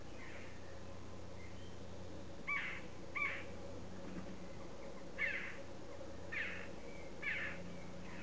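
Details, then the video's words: Western jackdaw, Corvus monedula: a series of short, sharp calls spaced one to two seconds apart over a steady low background hum. "Corvus monedula /Western Jackdaw / Kauw / Choucas des tours / Dohle / Kawka zwyczajna"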